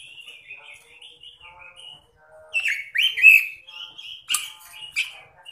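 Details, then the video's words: Robin described as singing energetically with an eccentric voice; soft, wavering whistled warble around a steady pitch, then louder bursts of sharp, rising and falling chirpy notes with brief clicks. "Burung Robin Gacor Suara Nyentrik"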